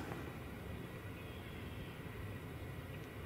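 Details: A steady, dense low rumble of passing rail or road traffic fills the whole recording, with no animal calls heard.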